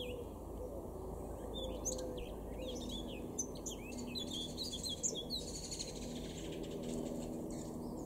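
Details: Male Eurasian blackcap, a garden bird in Weener, East Frisia, far northwest Germany, April 2022, singing a fast jumble of high twittering and warbled notes with quick rising and falling slurs, over a steady low hum of background noise.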